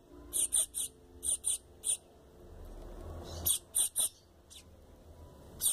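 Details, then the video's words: Double-collared seedeater chick begging call used to excite an adult: clusters of two or three brief, very high, hissy notes repeated at irregular intervals, with a soft rushing noise in the middle. "Piado de filhote para esquenta seu coleira muito rapido"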